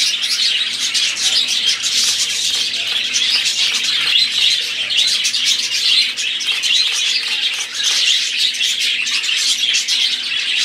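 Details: Budgerigars, several birds, in a continuous dense chatter of high warbling chirps and squeaks, steady and busy throughout without pauses.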